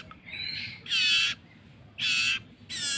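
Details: Hand-fed common iora chick begging: three loud, rasping squawks about a second apart, preceded by a softer wavering note, with faint background rustle.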